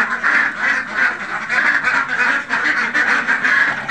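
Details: Khaki Campbell ducks kept on a farm, a flock quacking together in a dense, continuous chorus of harsh, nasal quacks overlapping throughout.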